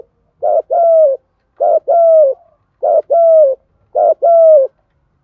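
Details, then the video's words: Spotted doves, male and female, cooing to stimulate young doves: four evenly spaced phrases, each a short husky note followed by a longer smooth falling coo, repeated about once a second. "chim cu gáy tập bổi và luyện mồi mỗi ngày, chim ra nhiều bài giúp bổi gáy theo nhanh nổi nhất"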